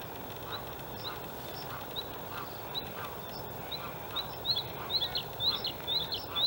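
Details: White-spotted Bluethroat male, outer reeds of Halmstad harbour fill, Sweden, 6 May 2017: faint scattered high ticks gradually giving way to clearer, repeated sharp ringing notes toward the end, against steady low noise.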